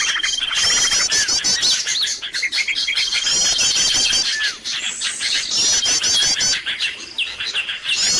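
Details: Busy bird lure recording made to draw wild birds in: a dense, unbroken chorus of many birds, with high overlapping chirps, fast repeated trills and a long steady thin whistle, barely pausing across the clip.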